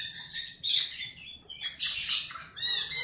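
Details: Chinese hwamei producing a short, dense, buzzy warbling passage of high notes in overlapping bursts, with some low background rumble beneath.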